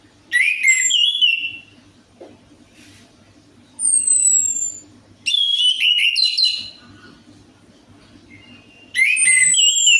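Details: Lure song of the orange-headed thrush (anis merah) for birds that rarely sing: four bursts of loud, varied whistles, with downslurred high notes, trills and rasps, separated by pauses with a steady faint low hum.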